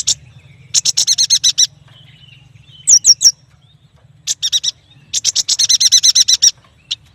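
A yuhina sings bright, high chattering bursts of quick repeated notes, each run lasting about a second, with a few sharp downslurred chips between.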